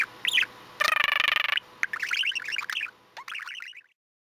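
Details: Male pet budgie babbling during preening and bathing on a hot summer day, a dense buzzy rattling burst followed by fast chirpy warbled notes that trail off into silence.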